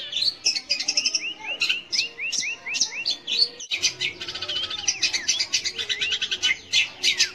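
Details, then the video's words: Long-tailed shrike song played to provoke young or silent shrikes into singing: a string of short rising whistled slurs, then a fast, dense run of chattering, scratchy notes and twittering. "kicau BURUNG CENDET / PENTET untuk PANCINGAN."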